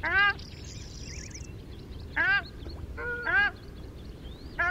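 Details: Ruddy shelduck giving loud, nasal honks in separate bursts about a second apart, each note slightly downslurred, over a steady low rumble of background noise with faint higher bird twittering.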